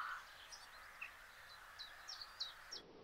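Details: A singing male black redstart at Simpelveld, the Netherlands, 12 May 2022, gives a thin, scratchy song of brief high notes scattered over three seconds, against a steady background hiss.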